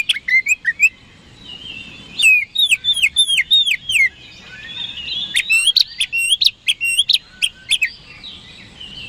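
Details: Oriental magpie-robin in energetic song, played as a lure to draw quick responses from rivals; rapid series of rich, downslurred whistles and sharp chips, nearly continuous, with one brief pause early on.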